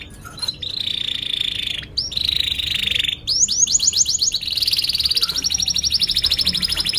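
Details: Canary training lure song for young birds learning to sing: long steady whistled notes, then rapid repeated downslurred chirps building into a fast ringing trill.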